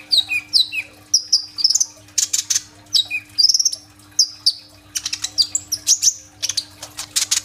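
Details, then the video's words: Sunbird known locally as kolibri ninja, in full song with a 'roll tembak' shot-like filling style, phone recording: quick high chirps and downward whistles alternating with dense buzzy trills, and a faint constant background hum. "BURUNG KOLIBRI NINJA GACOR FULL TEMBAKAN ISIAN ROLL TEMBAK"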